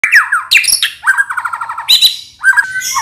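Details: White-rumped shama provoked into an agitated, excited song: rich varied whistled phrases with rapid trilled runs of repeated notes, sharp high chips and falling slurs, loud and continuous.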